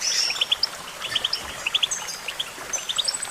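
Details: Goldfinch song made of bright, clipped chirps and quick twittering notes in uneven clusters. Thin high whistles run between the chirps over a quiet background.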